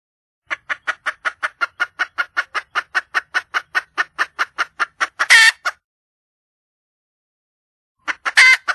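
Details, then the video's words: Wild red junglefowl hen seeking a male utters a steady string of about twenty clipped clucks, ending in a harsh, noisy burst, followed after a pause by another brief rasping burst. "le bruit d'une poule sauvage,เสียงไก่ป่าร้องหาถู่หาตัวผู้,ສຽງໄກ່ປ່າຮ້ອງຫາຄູ່ຮັກ, poj qaib qus see"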